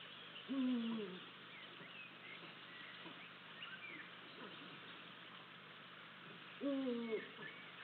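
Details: Eurasian eagle-owls at a nest in Estonia, filmed by live cam on 8 April 2023, as the male delivers a vole to the female. Two low, harsh, slightly falling calls about six seconds apart over steady hiss.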